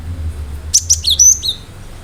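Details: Cinereous tit (gelatik batu) singing sharply to stir other birds into responding; a rapid run of high piercing whistles, clipped notes followed by a drawn-out rising slur and a falling note, over a faint low rumble.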